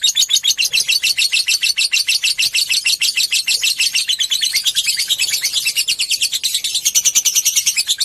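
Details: Lovebird giving a long ngekek trill, used to stimulate other lovebirds: loud, high-pitched, rapidly pulsed chattering, several notes each second, running unbroken for about eight seconds with only slight shifts in tone.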